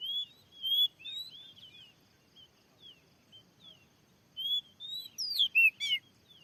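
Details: Oriental magpie-robin at a field where a lure was newly set, with a fierce wild bird drawn in. Clear whistled notes, some rising and some falling, come in short spaced groups, then a burst of loud sharp notes near the end.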